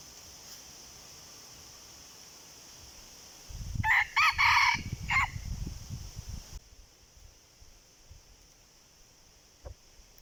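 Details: Wild red junglefowl during decoy hunting. A rough crow of about four choppy bursts comes amid loud rustling and handling thumps. The noise then drops to a quieter hiss with a single click.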